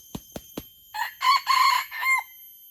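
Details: Red junglefowl from Aceh, a recording used as a lure (pemikat) to attract wild birds: three sharp low taps, then a short harsh crow in four bursts, the longest in the middle and the last note clipped and falling away.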